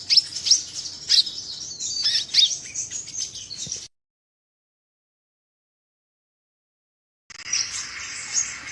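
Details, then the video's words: Sunbird song, meant for luring other sunbirds or as a tutor recording; almost four seconds of fast, high-pitched twittering chips and short trills, then silence, then a brief burst of high hissy chatter. "BURUNG KOLIBRI GACOR!!"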